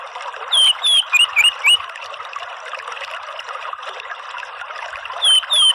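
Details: Orange-headed thrush song for coaxing a twittering bird into loud singing: a run of short falling whistles in the first two seconds, a long hissy pause, then two more whistles at the end.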